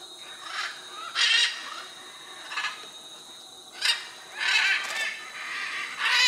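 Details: Macaws at the Chuncho clay lick on the Tambopata River in the Tambopata National Reserve, Peru, where blue-and-yellow, red-and-green and scarlet macaws gather; harsh, broad squawks burst out every second or so, several overlapping over a steady hiss.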